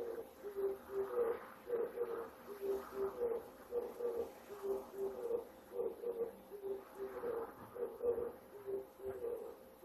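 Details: Male Oriental turtle dove in Japan, in early September at dawn, gives its breeding-season territorial cooing to attract females: a low, hoarse repeated four-note phrase, roughly one every two seconds, steady and mellow.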